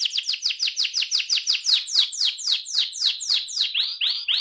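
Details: Ngerol, the rolling song, from an AF canary: a steady series of clear down-slurred whistles, roughly four per second, slowing slightly before ending with two rising swoops.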